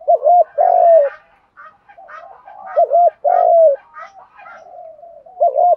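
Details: Cooing of spotted doves, male and female, played to stimulate decoy doves. Two full phrases of a clipped double note and a long falling coo, plus a third starting at the end, with softer overlapping coos from another dove between.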